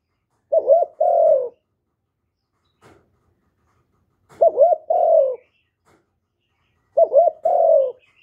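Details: Spotted dove cooing for luring wild doves: three evenly spaced phrases, each a quick two-part hoot and a held, gently descending coo, with near-total silence between.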